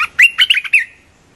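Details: Red-whiskered bulbul, a gacor lure-call bird, gives a quick, bubbly phrase of four or five rich, warbled notes that bounce up and down within about a second. Nothing else is audible.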